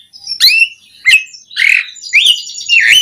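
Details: Asian pied starling producing harsh, squawking whistled notes mixed with rising and falling slurs, five loud phrases in quick succession.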